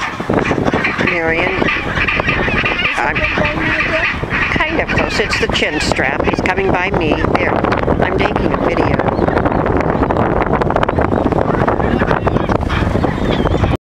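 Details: Chinstrap penguins (Pygoscelis antarcticus) in Antarctica give harsh, braying calls in bursts over a constant colony din, with wind noise and what sounds like people talking.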